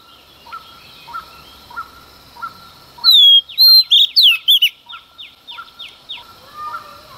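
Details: Early-morning song of a female Oriental magpie-robin, sung to stir up males. A single burst of bright whistles and rapid falling chips lasts under two seconds over a quiet background of soft, regularly repeated notes.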